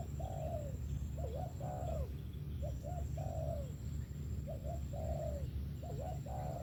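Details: Spotted dove song: repeated phrases of quick two-part hooked notes, each answered by a drawn-out sliding coo, about four phrases in succession against a constant low-pitched background hum.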